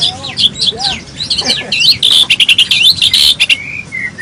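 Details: Full-of-filler song of a white-rumped shama: a fast, continuous run of high twisting whistles and slurred notes, with a brief rattling burst in the middle and two long falling whistles at the close.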